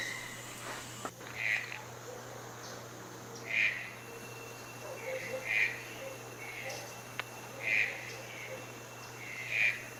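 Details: Toucan repeating short hoarse croaks about every two seconds, with a faint click early on and a constant low hum underneath.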